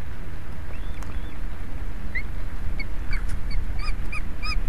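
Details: Osprey nest camera in Estonia, 11 July 2017, 16:27, with a huge fish for the soaked birds. Faint scattered notes give way to a quick series of clear whistled chirps near the end, over low rumbling noise.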